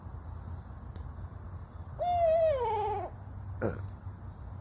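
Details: Barred owl visiting a campsite at night in the forest beside a campfire, very vocal, gives a single drawn-out hoot about a second long that wavers and slides downward at the end, over a low background rumble.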